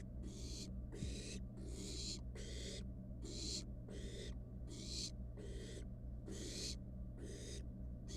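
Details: Wild barn owl nestling playing with its dinner in a monitored nest box: regular raspy hisses, some with a slightly rising tone, alternating with short silences over a low hum.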